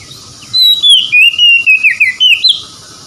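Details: Oriental magpie-robin, locally kacer, in song used as therapy for stressed birds that will not sing: a fast, continuous string of loud whistled slurs wavering up and down for about two seconds.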